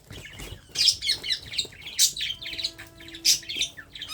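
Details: Baby parrot being hand-fed, giving rapid, high chirping calls, steady runs of squeaky chirps with a faint low hum in the background.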